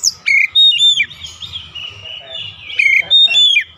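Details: Oriental magpie-robin in a daily routine for fast long rolling song gives crisp whistled phrases with upward flicks, joined by a continuous softer warble and some low background noise.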